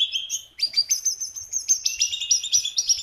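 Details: Energetic jungle babbler song opening with a few lower, drawn-out whistled notes. After a short gap comes a rapid run of high, bright chirps that step up and down in pitch, about three bursts a second.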